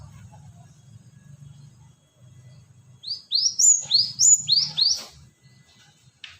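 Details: Lure sound of a cinereous tit: after a quiet low rumble, a fast run of about six sharp, high upslurred chips, each rising steeply, delivered in a tight burst lasting about two seconds.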